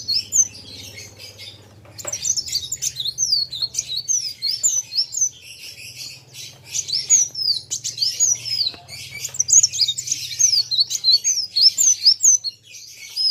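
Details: Two vocal kolibri wulung sunbirds singing against each other: continuous high twittering and quick rising and falling sweeps layered over a low steady hum.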